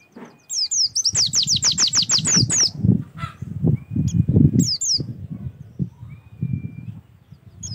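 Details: Oriental white-eye song as a prompt for singing: a fast run of about a dozen high descending chirps, then scattered notes, with heavy low fluttering and thumping, like wingbeats, through most of the recording.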